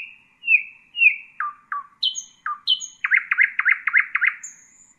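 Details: Song of a nightingale meant for teaching young birds: long steady whistles, a few falling notes, then a quick rhythmic series of about eight strong, repeated notes.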